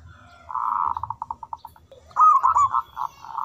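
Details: Local zebra dove with a big voice in full manggung song: a series of quick, bubbling coo notes that shorten and fade, then a loud rolling, trilled coo phrase ending in more clipped notes.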